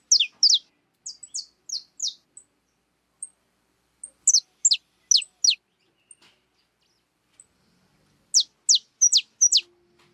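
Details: Wild birds visiting a backyard feeder stocked with cracked corn utter clusters of high, steeply falling chirps separated by short silences, in a quiet setting.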